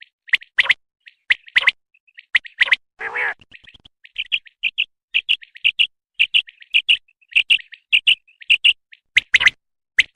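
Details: Common quail, known locally as batair, giving a long run of brief high whistled notes in quick pairs and triplets, broken by louder clicky bursts and one harsh rasping note.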